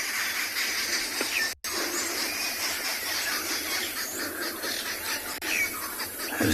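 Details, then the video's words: Arrow-marked Babblers at sunset on 4 October 2020, shouting at each other, possibly at observers and at a nearby eagle-owl fight: a harsh, rasping chorus of overlapping squeals and chatters, with a brief quiet gap midway. "the arrow marked babblers you can hear them shouting at each other and probably at us"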